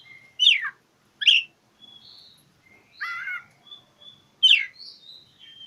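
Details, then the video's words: Oriental magpie-robin seeking a rival in song, used as a lure for silent birds. Two sharp descending notes come first, then a warbled trilling phrase, a soft whistle and another loud downward sweep. "Kicau KACER cari LAWAN"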